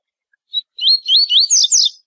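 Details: Double-collared seedeater giving one tui tui zel zel phrase, a tutoring song for young birds: a single clipped note, then five loud rising slurred notes climbing to a rough, higher finish.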